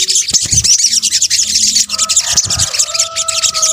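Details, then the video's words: Sunbird (sogok ontong) lure calls from Indonesia: continuous shrill, buzzy twittering packed at high pitch, with a faint low steady hum beneath. "PANCINGAN SOGON BUNYI AMPUH | kombinasi suara sogok ontong"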